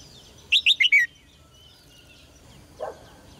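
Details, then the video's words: Red-whiskered bulbul singing in a cage, used to excite males into strong song: one rapid phrase of four loud, clear whistled notes falling in pitch, followed by a soft lower sound near the end. "นกหัวจุก birds - เสียงนกร้องในกรง กระตุ้นนกตัวผู้ให้ร้องอย่างแรง"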